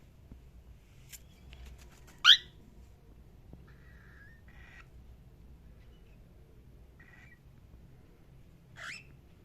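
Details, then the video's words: Cockatiel chirping in a quiet room: one loud, sharp, rising chirp, a few soft short notes afterwards, and a second brighter chirp near the end. "Cockatiel chirping sound"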